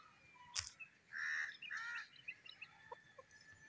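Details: Grey francolin calling: two loud, harsh, rasping notes with rich overtones, each about a third of a second, given back to back, with scattered short chirps from other birds and a sharp click near the start.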